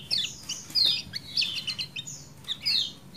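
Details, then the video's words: Kecial kuning (white-eye), 'ciak ciak jos' style: scattered high squeaky chirps and short slurred whistles, sparse and uneven, heard over a noticeable low rumbling background. "MASTERAN AMPUH CIAK JOS KECIAL KUNING DURASI PANJANG"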